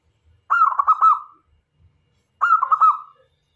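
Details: Actively singing local zebra dove, kept as a decoy to lure male and female doves; two phrases about two seconds apart, each a rapid stuttered series of soft coos ending in a sliding, fading note.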